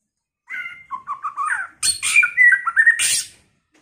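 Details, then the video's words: White-rumped shama in varied song: a wavering whistled opening, a run of short warbled notes, then a harsh broadband burst followed by clear rising whistles and a final rasping flourish. "chòe lửa hót,chòe lửa chuyền mùa đầu"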